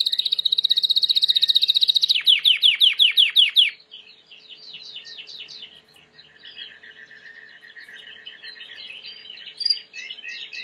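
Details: Timbrado canary, a white canary, singing as a training model: a dense high buzzy trill, then a run of rapid downward-sweeping notes, followed by softer varied twittering phrases with a faint steady hum beneath.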